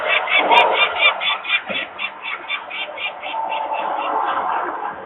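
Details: Peregrine falcons alarm-calling at a nest in Włocławek, Poland, 23 May 2022, afternoon, with workers making noise nearby and young still on the landing. A clear run of rapid rasping notes opens, fading into a blurred, overlapping chatter.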